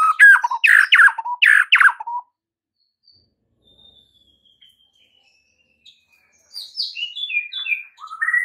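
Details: White-rumped shama master song aimed at getting silent birds to sing and grow aggressive: loud harsh stuttering notes, a long quiet gap, then soft varied whistles returning.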